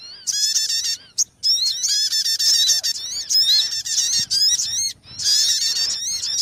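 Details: Sogon bird calls used to lure birds into traps: grating, nasal, squeaky notes with strong harmonics, given in long loud bursts broken by a few brief pauses, roughly half a minute's worth of repeated phrases.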